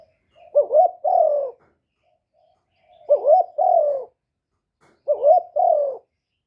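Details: Spotted dove, a caged decoy bird kept to lure and stimulate wild doves, recorded directly without background noise; low cooing phrases of a quick wavering double note followed by a longer descending coo, repeated about every two seconds, three phrases.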